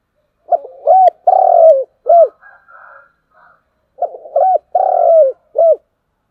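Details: Spotted dove calling in the morning: two mellow cooing phrases about three and a half seconds apart. Each opens with quick stuttering notes, swells into a long hoarse coo and ends with a short clipped coo. Soft fainter notes sit between them in a quiet setting.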